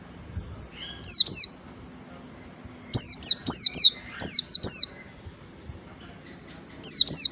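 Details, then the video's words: White-eye ngalas song with nembak practice: repeated groups of shrill, high, downslurred whistles, delivered in quick pairs and triplets separated by short silences. "suara pleci ngalas belajar nembak ini bisa memancing pleci lain ikut ngalas dan gacor"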